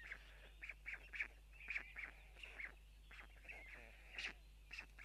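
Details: White stork parents arriving at their nest in Tukums, Latvia, to feed their chicks give short, harsh, wheezy bursts, about two a second, over a steady low electrical hum; 12 June 2022, 04:54.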